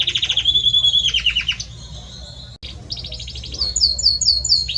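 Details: Belgian canary, a male singing to his female, delivers a rattling trill and a pure held whistle, pauses briefly, then resumes with quick chirping phrases climbing into high repeated notes.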